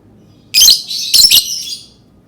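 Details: Lovebird uttering a harsh, high, grating screech followed by a doubled rasping shriek, loud and tinny, fading with a short echo.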